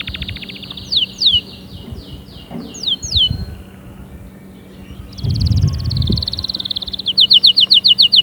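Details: Canary song used to stimulate other canaries to sing, fairly soft: a thin high buzz with scattered slurred whistles, a quiet pause, then a rolling trill and a loud burst of rapid repeated high chips, over low rumbling noise.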